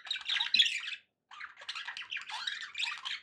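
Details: Budgerigars kept as pets give rapid scratchy chirps and squawks; a silent gap of about a quarter second breaks the chatter, which then resumes just as dense.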